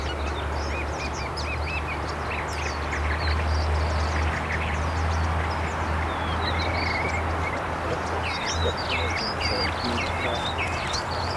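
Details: Northern mockingbird (Mimus polyglottos) song: quick, varied phrases of high chirps, squeaks and short whistles, each pattern repeated briefly, over a steady low rumble.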